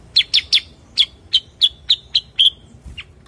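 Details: Cucak kurincang, a bulbul also known locally as kutilang sutra or kuniran, giving a run of about nine sharp, bright chirps, steady at first and then slightly quicker. Each note is a short downslurred tick, and a final lower note closes the run.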